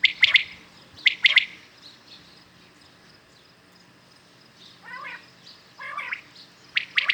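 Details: Calling common quails in the morning: sharp triple-pulsed calls open and close the sequence, with a quiet pause and two hoarse, wavering notes in the middle.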